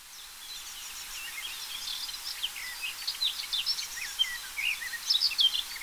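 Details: A garden warbler, recorded June 13, 2024, sings a fast, rambling warble of bright, chattering notes that grows louder.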